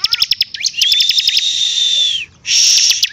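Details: Bar-winged prinia: quick chipping notes lead into a long high whistle that fades down, a brief pause, then a loud buzzy burst.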